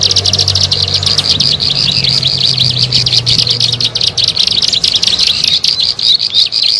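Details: Bar-winged prinia, recorded for luring birds, giving quick high twittering chirps in a steady rush, with a low droning hum during the first four seconds.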